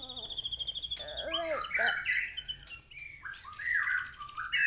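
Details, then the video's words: White-rumped shama singing a varied phrase: a rapid pulsed trill gives way to slurred whistles, looping notes and rich warbled fragments, with faint low background hum. "#muraibatugacor #bunyimurai"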